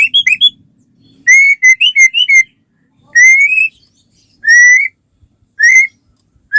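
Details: White-rumped shama song meant to draw other shamas into singing: a short quick flourish, then drawn-out rising whistles spaced about a second apart with silent gaps.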